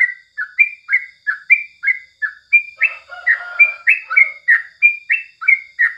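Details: Bulbul song recorded in the morning, yellow-vented species: quick, repeated slurred notes, about three a second, with a brief lower buzzy sound mixing in midway.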